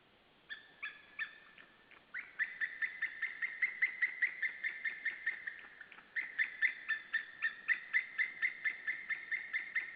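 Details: White-tailed eagles at a wild nest in Saunja, Estonia, on 17 March 2013 at 12:56, one bird arriving to take over from its mate: a long run of sharp, yelping, harmonic calls, about three per second, growing louder after two seconds.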